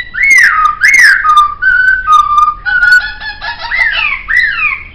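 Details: Laughingthrush singing for a master-track recording: loud flowing whistles that slide down, level out, then swoop up and down again in rich, melodic phrases.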